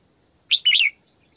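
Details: Decoy female Red-whiskered bulbul singing 'sổ bọng': one strong upslurred whistle, then a fluid, warbled run of notes ending in a falling tail, under one second long.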